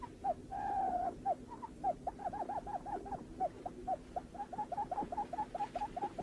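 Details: A lineated barbet opens with a long purring note, then delivers a steady series of short hollow hooked notes that quicken toward the end; low hum in the background.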